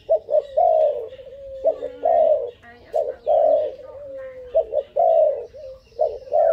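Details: Bold cooing from a young dove aged five months. Runs of low, hoarse coos, each ending in a long soft tail, follow one another closely across the recording.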